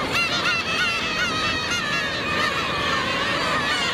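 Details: Black-tailed gulls at Otaru, Japan, begging for fish, snatching it and begging again: a dense chorus of overlapping nasal, wavering mewing calls with rising and falling harmonics, continuous throughout, with a constant background hiss.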